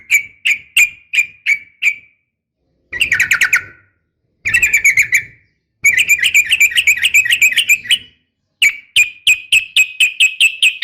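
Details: Female sooty-headed bulbul calling a male, in a fighting style; evenly spaced sharp chips, then dense rattling bursts, then another steady run of rapid chips.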